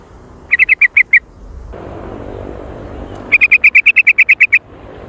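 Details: Very active sooty-headed bulbul giving a noisy jontrot call, used as a lure: a short rattle of six sharp notes, a brief hiss, then a longer, evenly spaced run of about eleven quick, clipped notes.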